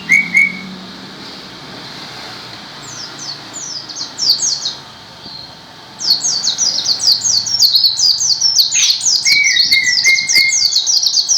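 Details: White-eye singing gacor style. Scattered high slurred notes build into a fast, unbroken run of thin descending chirps in the second half, alongside a few lower, flat whistled notes.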